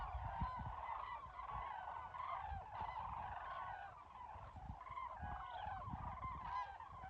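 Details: Common cranes calling in the wild, a dense chorus of overlapping honking, trumpeting calls from many birds, steady and continuous, with low rumbling background noise.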